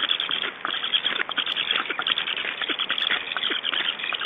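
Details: Black storks at a nest in Estonia during a chick feeding on 9 July 2012, giving dense, scratchy, rasping bursts and rapid clattering pulses that run almost continuously through the short stretch.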